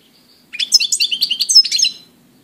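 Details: A European goldfinch in mid-April 2018 gives a liquid, jangling burst of rapid chirps and trills, roughly a second and a half long, preceded by a brief high whistle.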